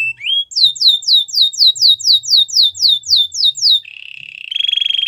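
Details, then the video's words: Belgian canary song meant for training young canaries, a fast series of about a dozen bright down-slurred whistled notes, then a steady buzzy trill and a higher rattling roll at the end. "Canary singing for training | Belgian canary song"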